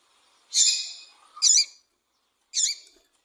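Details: Calls of a female double-collared seedeater, meant to stir up males for singing tournaments: three high, squeaky chirps, the first longer and slurred, the next two short and clipped, spaced about a second apart.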